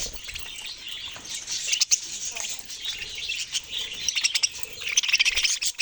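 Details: Budgerigars chattering together, a dense stream of high, scratchy chirps and warbles that rise and fall in bursts with short pauses between them.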